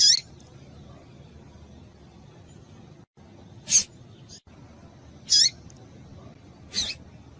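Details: Female double-collared seedeater calling, used to stimulate males: short, high, squeaky curved notes, first sweeping down then up, given a few seconds apart, mixed with sharp broadband hissy bursts against a low background hum.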